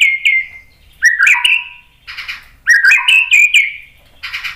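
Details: White-rumped shama singing to provoke other birds: falling whistles and twisting slurred phrases with sharp clicks, alternating with short harsh buzzy bursts.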